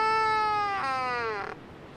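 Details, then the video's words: Waved albatross on Española Island, Galápagos, squawking around the corner before a courting pair nods and bill-fences: one drawn-out nasal squawk of about 1.5 seconds, steady then sliding lower before cutting off. "we were walking along the path and we hear an albatross squawking from around the corner"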